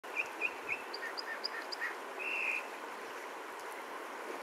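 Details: American dipper singing in Alaska on 7 June 2022: quick, high, sweet notes in a varied run, then a longer trilled phrase, over a steady rush of water.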